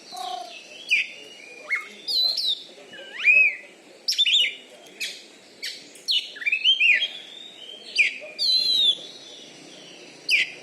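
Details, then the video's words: Champion caged Oriental magpie-robin from Bengkulu, Indonesia, noted for a loud voice and special fighting style, giving separate bursts of whistled, upslurred and downslurred notes and sharp chirps, spaced by short silences over about ten seconds. "BURUNG KACER JUARA DI BENGKULU"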